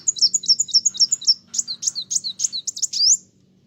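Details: Sunbird singing hard to provoke other birds: a fast series of high, sharp chirps repeated about four per second, then louder swooping notes that end in a rising whistle, with a low background hum.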